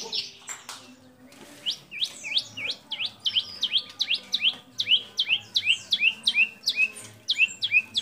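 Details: Energetic white-rumped shama delivering a mimicry-rich song with copied sooty-headed bulbul, cililin, lovebird and canary calls; after a brief pause, sharp downslurred high notes follow rapidly, about three per second, for several seconds.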